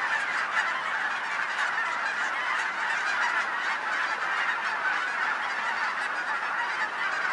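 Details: Many geese honking together in Colorado, a constant wall of overlapping harsh honks, heavy and even in loudness across the whole stretch, a huge flock calling at once.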